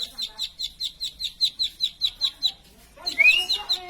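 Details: Plain prinia singing a steady series of high, sharp chirps repeated about every fifth of a second, pausing near the end as a clear rising whistle and other faint bird notes come in.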